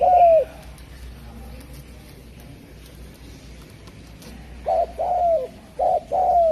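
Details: Spotted dove cooing: one mellow low coo at the start, a quiet pause, then two paired bursts of soft coos, each pair a short note followed by a longer drawn-out, slightly falling coo; steady low background hum.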